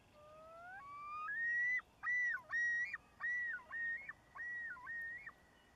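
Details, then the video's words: Yodel of a distant male loon in Nevis, Minnesota: two slow rising whistled notes lead into a run of repeated undulating phrases that rise and fall, ending on a held tone. "Yodeling Loon"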